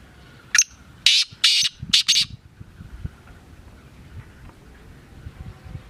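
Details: Black francolin (local name kala teetar) gives one rasping phrase: a brief sharp note, then four harsh scratchy bursts within about two seconds. Faint background noise follows the call.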